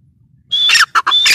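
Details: Dakhni teetar, the grey francolin, calling twice: each burst opens with a thin whistled tone, then breaks into a grating squawk, separated by a brief clipped note. Loud and close, with little background.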